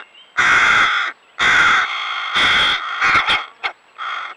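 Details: Hooded crow fledglings, already independent but still begging adults for food, on the Neman riverbank near Maksimonys, Lithuania: harsh, drawn-out nasal caws repeated about six times in four seconds, the last few clipped and broken.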